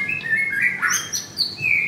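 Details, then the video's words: Short burst from a caged male white-rumped shama offered at a bird stall in Kemayoran, Jakarta: a couple of steady whistled notes, then a blurred rising phrase and a high thin slur ending on a sustained whistle. "Murai Batu Gacor"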